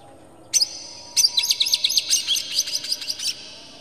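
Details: Oriental magpie-robin in full agitated song, tail opened, its phrases packed with varied material to provoke other magpie-robins: one sharp note, then a rapid run of high chirps and whistles lasting about two seconds.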